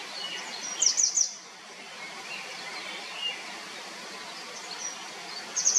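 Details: Grey wagtail giving three sharp, high, ticking notes in quick succession, then a long gap of steady hissing background noise and a few faint chirps, before another brief burst of high calls at the end.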